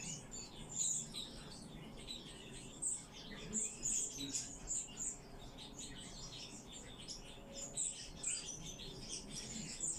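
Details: Rescued common chaffinch giving scattered high, piercing tweets and short squeaks across ten seconds, some in quick pairs, with low-pitched room noise beneath.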